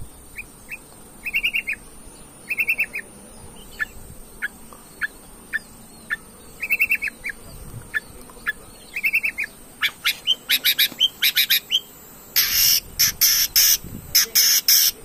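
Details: Long-tailed shrike bait recording used to provoke other shrikes into singing: scattered short, sharp chipping notes, some doubled, over a steady high electronic hiss, building toward the end into harsh, buzzy, grating bursts repeated rapidly.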